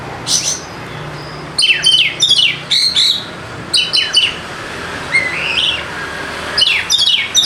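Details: Oriental magpie-robin (kacer) song used as a lure to set lazy, quiet birds singing: loud bursts of sharp, sweeping whistled notes and rapid chirps in phrases separated by brief pauses, with a faint low hum behind.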